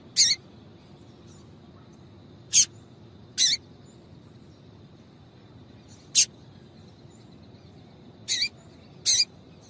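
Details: Female double-collared seedeater calling to excite a male: sharp, high, isolated chips at irregular intervals of one to three seconds, one doubled, with a faint steady whine behind.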